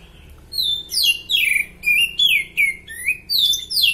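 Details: Oriental magpie-robin in strong condition, sung as a tutor song: loud, varied whistled phrases, mostly sweeping downward, delivered in rapid bursts about every half second with short gaps, over a quiet low hum.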